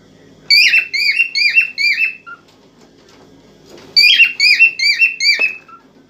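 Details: Excited cockatiel singing to stimulate a female for mating: two bursts of four to five clear, downslurred whistled notes with bright overtones, each burst lasting about two seconds, separated by a short quiet pause.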